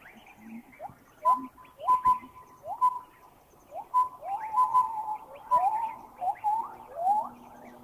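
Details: Piping hoot of a collared owlet in Thailand: short flat whistled notes repeated about every second, set among many rising whistles and chirps from other birds in a busy chorus.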